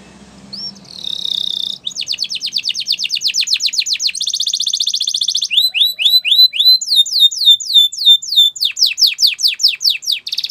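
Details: Spanish Timbrado canary delivering a continuous training song with no gaps. High, fast metallic trills shift into rolling chains of downslurred whistles and rapid clicking runs, with a faint low hum at the very start.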